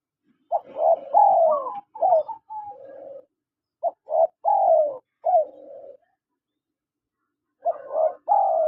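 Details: Male and female spotted doves call in turn, each phrase a quick pair of soft coos followed by a drawn-out downward-sliding coo, then a pause before the next phrase begins.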